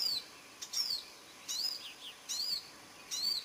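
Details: Spotted crake calling on 7 June 2010: a sharp, arched whistled note about every 0.8 seconds, clear and regular, with faint chatter from other birds between the notes.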